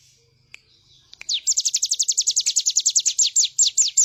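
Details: Bar-winged prinia singing energetically, used as a master recording for training cage birds: after a few soft chips, a fast, loud series of high, downslurred notes repeated about six per second for over two seconds.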